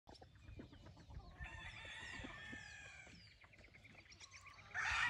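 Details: Wingate Brown Red gamefowl in a brood pen holding a stag and a hen. A faint, distant, harmonic crow rises and holds from about 1.4 to 3 seconds. Small birds give thin, falling whistles throughout, and a loud burst of noise comes at the end.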